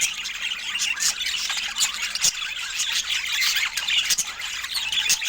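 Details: Several pet budgies sharing fruit give noisy, high chatter: quick squawks, squeals and chirps pile up, with a few sharp clicks scattered through.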